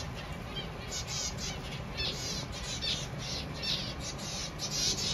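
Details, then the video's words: Zebra finch new babies giving a dense, continuous stream of rapid, scratchy high calls that swell and fade in loudness, with a constant low hum underneath. "Zebra Finch new babies"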